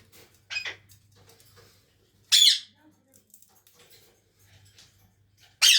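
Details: Indian ringneck parrot kept as a pet, indoors, letting out three abrupt, scratchy squawks spaced about two seconds apart, with soft rustling and a faint hum between them.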